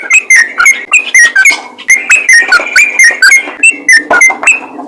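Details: Yellow-vented bulbul calling to others of its kind: loud, lively chains of gurgling whistled notes with sharp chirps mixed in, delivered in quick uneven bursts.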